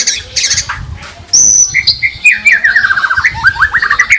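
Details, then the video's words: White-rumped shama (murai batu) in full 'gacor' song with 'tembakan' fills, recorded as a master track to coax other birds to sing. Rapid high trills, a sharp whistle, then a quick falling-and-rising chain of clipped notes. "Pancingan Masteran MP3 Murai Batu Gacor Full Isian Tembakan Mewah"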